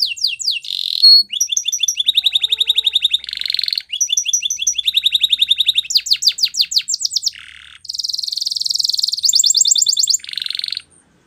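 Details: Canary singing a training song of rapid pulsed trills that switch pitch, mixed with short rasping buzzes and a dense, hissing rolled phrase toward the end.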